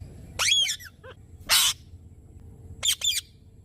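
Indian parrot giving three loud, harsh screeches spaced over about three seconds, each a burst of rough, high squawking notes, with faint background hiss.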